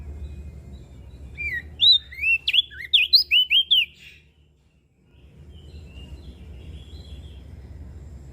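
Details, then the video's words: Mountain leaf warbler song of about ten quick, high, slurred whistles over two seconds, preceded and followed by a steady low hum and faint distant high notes. "Opior Jambul Gacor Siang Malam"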